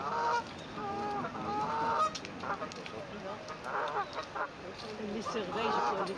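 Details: Swan family with newly hatched cygnets on their first day, phone recording from 9 May 2024; clusters of nasal honks with rich overtones, pauses between bursts, low background rumble.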